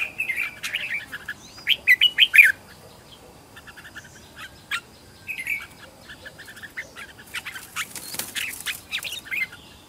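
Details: Red-whiskered bulbul decoy practising fighting song at home to attract wild birds: a loud run of quick bright notes, then softer scattered chirps and a rustling burst near the end.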